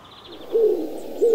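Eurasian Collared Dove giving two low, hollow coo notes about two-thirds of a second apart, with faint background hiss.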